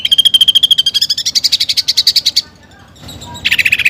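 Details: Greater green leafbird singing constantly, with fillers imitating a fighting sparrow and a woodpecker. A fast whistled pulse train climbs in pitch and turns buzzy, stops briefly, then a lower rapid burst resumes.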